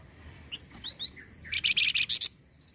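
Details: Flamboyan bird song meant to encourage other flamboyan birds to sing: a few quick rising whistled notes, then a fast run of about seven loud, buzzy chattering notes.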